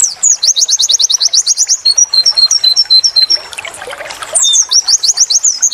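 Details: Pleci, or white-eye, song from a training recording in the "wit wit tulit tulit" style: a long fast trill of bright repeated notes, then alternating thin whistles, a short quieter gap, and another rapid trill.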